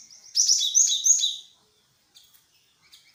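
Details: Lure call of a great tit (glatik wingko), played to draw a reply: a dense, loud burst of bright, high chirping notes for about a second, then near silence with a few faint chirps.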